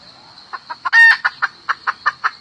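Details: Hen calling the rooster: a fast run of short clucks about every fifth of a second, broken near the start by one loud, drawn-out harmonic squawk, with a steady high insect hum behind.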